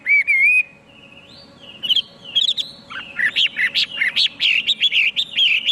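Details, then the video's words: A Chinese hwamei sings loud, rich whistled phrases, an opening slurred whistle and then a fast, varied run of ringing notes and warbles, with a faint background hum. "Chim hoa mi hot cuc dinh - Extreme nightingale sings"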